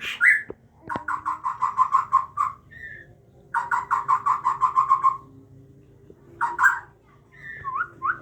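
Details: Captive-bred Aceh white-rumped shama parent feeding its chicks; two runs of rapid, evenly repeated harsh notes, about ten in each burst, with short whistled notes before, between and after.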